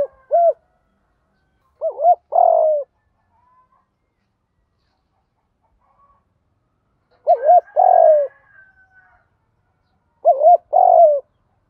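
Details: Decoy spotted dove in 'gù thúc' calling style. Three separate coo phrases are spaced several seconds apart, each made of quick short coos ending in a longer, rough, falling note, with silence in between.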